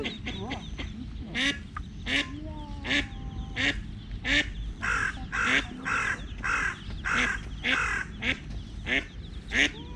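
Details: Early morning: an Eastern spot-billed duck mother moving her small ducklings, with two ducklings attacked by a cat. Harsh, rasping quacks and thin high peeps, likely from the ducklings, come in irregular bursts over a noisy, rumbling background.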